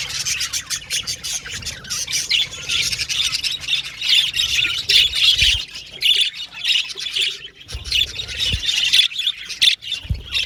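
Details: Many pet budgerigars chirping and chattering together, a dense, continuous wash of high squeaky warbles and squawks with soft thumps below.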